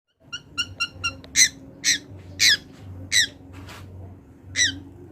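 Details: Wild long-tailed shrike giving a loud, harsh chatter: four short, quick rasping notes, then five louder, broad, grating notes spaced about half a second apart, over a faint low hum.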